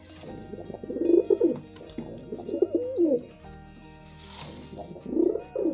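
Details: Pigeons cooing in a mating context, low burbling phrases repeated in three or four bouts roughly every second or two, each a rounded rolling hum, with faint background hiss.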